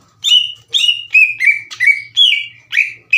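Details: Caged green leafbird song used to rouse rival birds into singing back, heard as about seven loud, ringing notes in three seconds, each a sharp onset sliding down into a held whistle.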